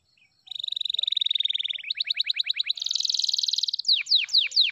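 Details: Song of an F2YS canary: a sustained rolled trill, then a clipped rattle, a higher buzzing roll and quick repeated down-slurred whistles, all in one continuous phrase.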